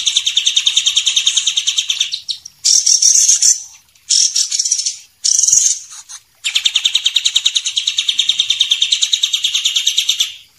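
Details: White-rumped shama, champion and young spotted birds, training song: a rapid high trill, then three short bright phrases with pauses, then the pulsing trill again for several seconds.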